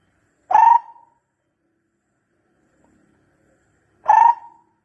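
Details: Barbet call meant for luring birds: two lone, short, hollow notes about three and a half seconds apart, separated by near silence.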